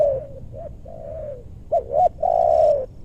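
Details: Spotted dove calling to lure wild birds in a meranti forest, western Bogor. Soft coos come first, then two sharp rising notes and a long, loud, level coo.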